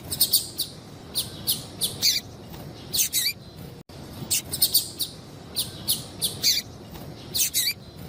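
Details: A female yellow-bellied seedeater calling toward males: steady high chips, some in pairs, with occasional short descending slurred notes, continuing evenly with one brief dropout.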